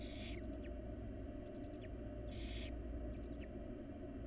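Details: Barn owl chicks in a wild nest box begging during feeding by their mother: two loud raspy hisses about two seconds apart, with quick, thin ticking and chittering notes in between, over a low steady hum.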